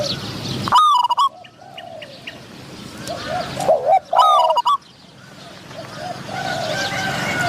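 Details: Spotted dove decoy calling to lure wild doves, with a wild dove's medium-pitched voice in reply: loud, harmonic cooing phrases near 1 second and 4 seconds, softer answering coos and other small bird chirps between.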